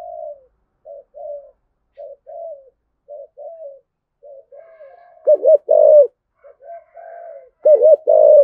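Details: Spotted dove calling to stimulate other doves to coo: soft, short low coos repeated about once a second, then louder, stronger double-hooted coo bursts near the end.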